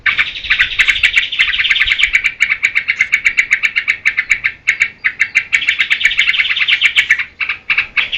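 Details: Caged yellow-vented bulbul giving an energetic chattering song for training other birds, rapid pulsed notes delivered in bursts with short gaps, some faint clicks in the background.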